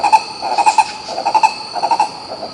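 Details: Green ibis (coró-coró) filmed in Pirenópolis, Goiás, Brazil, calling in five short bursts of two to four rapid, hoarse mid-pitched notes spaced about half a second apart, over a steady high insect drone.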